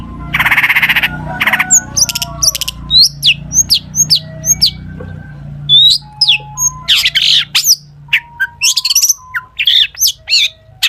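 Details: Vigorous full-isian singing by a long-tailed shrike, meant to prompt other shrikes to answer: an opening harsh buzz, then many sharp high chips, slurred whistles and short flat mid-pitched tones, fairly evenly spaced.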